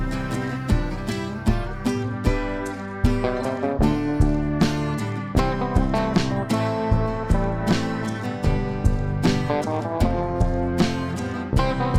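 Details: Strummed acoustic guitar music with a steady rhythm and bass notes; no animal sounds are heard.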